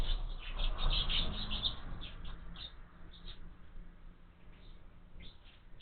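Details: Young house sparrows in a window-mounted feeder chirp rapidly for the first two seconds in a busy cluster of high notes, then scattered single chirps follow as the calling fades, with a faint steady hum underneath.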